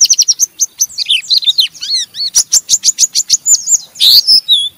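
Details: Oriental white-eye chattering harshly ('ngeriwik') to draw other white-eyes into singing; crisp rapid chips in even rows, twisting high slurs, and a scratchy buzzy flourish near the end.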